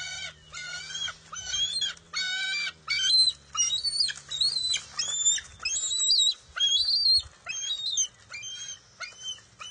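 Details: Eaglet of a resident bald eagle pair squabbling with its mother for a fish at the nest in June 2021. Choppy harmonic squeals start the sequence, then become higher, wavering cries that rise and fall, over a low background drone.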